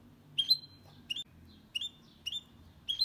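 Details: Goldfinch × canary mule singing without errors, played to stimulate singing males and teach young birds: five crisp upslurred chirps, roughly one every half second, some with short twittery flourishes.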